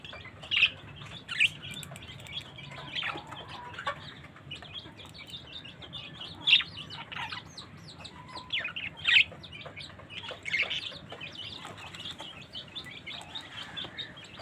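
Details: A colony of budgerigars in a cage chattering, with bright chirps and warbles scattered over a busy, scratchy background.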